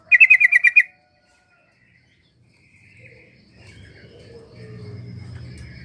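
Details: Sooty-headed bulbul lure for a bird that will not sing: a rapid string of seven bright, evenly spaced notes under a second long, followed by quiet and a low rural rumble.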